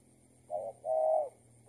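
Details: Spotted dove heard during decoy trapping, the target bird proving to be an escaped tethered decoy; one short low coo followed by a longer, steady, hollow coo, over faint background hum.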